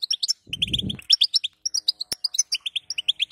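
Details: Female goldfinch calls used to stimulate a male's singing: dense, tinkling high twitters repeated steadily, a short burst of low rustling early on, then one sharp click.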